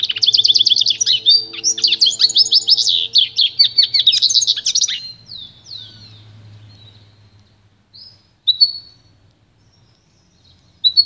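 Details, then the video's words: Pintagol, a goldfinch and canary hybrid, singing for song training: a rapid buzzy, twittering rattle of repeated notes for about five seconds, trailing into scattered sweeps and then isolated whistled call notes, with a low hum underneath. "canto puro do pintagol"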